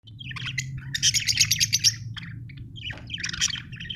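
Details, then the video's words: Budgerigar chirping: bursts of warbled, scratchy chatter and quick chirps, loudest in the middle, with a steady low hum underneath. "budgie chirping sound"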